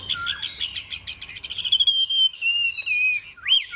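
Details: Chinese hwamei in fighting display with spread wings, pouring out a fast rhythmic trill of repeated notes that flows into a long, gradually falling whistle and an upswept final slur.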